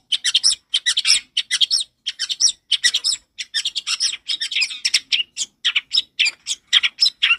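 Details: A dense, unbroken stream of harsh, chattering and buzzy notes makes up this loud, clear long-tailed shrike song, played as a lure to train young birds to sing. The bursts follow one another rapidly throughout.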